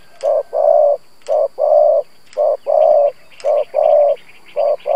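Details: Trained spotted dove decoy giving the 'gù' coo used to rouse wild doves: a rapid run of soft, low coos, each short note followed by a longer drawn-out one, with faint chirps from other birds behind.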